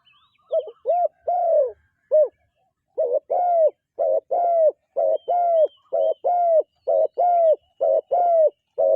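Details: A dove coos, first a few scattered drawn-out notes, then after a short pause a brisk, regular series of paired hollow arched notes, with nothing else audible.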